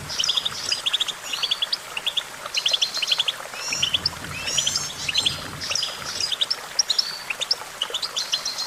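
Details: Goldfinch singing in bursts of quick, tinkling twitters and clipped chirps, phrases repeating every second or so among other overlapping birds, with a soft low rumble midway.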